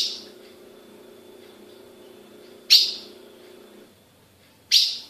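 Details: Captive female ultramarine grosbeak, Brazil: a fading note at the start, then two loud, snappy chip calls two seconds apart; the low background hum cuts out midway.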